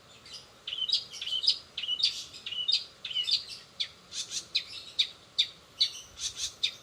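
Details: A long-tailed shrike in 'rol spid' song with greja BR, greja restu, sogon and kenari fill-ins gives paired high chirps repeated at a brisk pace, each with a sharp upper note.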